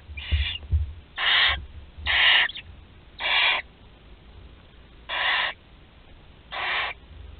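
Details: Last barn owl chick remaining in a nest at Théding, France, recorded 26 July 2020, giving raspy, breathy hisses about once a second, each roughly half a second long, separated by quiet pauses.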